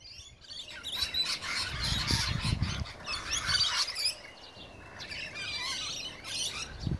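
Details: Rainbow lorikeets feeding before cockatoos arrive chatter in shrill, screechy bursts, several birds overlapping almost without pause; a few low thumps sound in the background.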